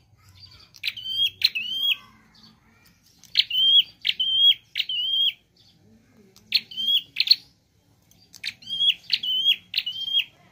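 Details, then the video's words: Prinia delivering a lively 'nembak' song of repeated tick-whistle phrases, each a crisp click and a short high level whistle. They arrive in clusters of two or three across ten seconds, with clean gaps between. "Prenjak Klawu Gacor Variasi Nembak"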